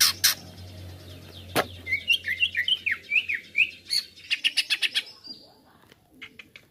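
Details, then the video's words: Greater green leafbird song used as a lure to excite other birds. Sharp clicks, then a lively run of slurred whistles, then a rapid rattling burst and a fading high tone. "Masteran/pancingan cucak ijo langsung emosi"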